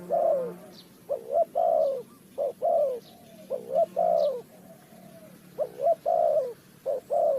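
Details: Low mellow cooing of a Spotted dove, bird-trapping context, Ninh Thuận, Vietnam; paired notes, a short hoot then a longer falling coo, repeated almost without pause, with faint high bird chirps in the background.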